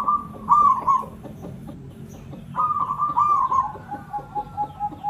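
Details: Local zebra dove from Java giving lure song: two bursts of purring, bubbling coos, the second trailing into a sustained tone, with soft repeated background pulses.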